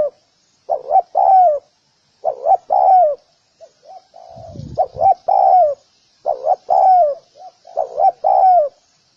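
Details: Spotted dove repeating its soft cooing phrase of short rising notes ending in a drawn-out falling coo, with a brief low rumble partway through.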